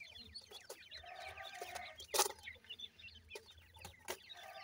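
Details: Grey francolin chicks keep up a constant twittering of high, slurred peeps, interrupted by one loud knock and several sharp taps.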